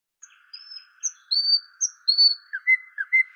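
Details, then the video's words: Small bird giving high, thin whistled notes and brief sliding chirps in an uneven series, several notes rising or falling sharply, over a steady low electrical hum. "चिड़िया की आवाज"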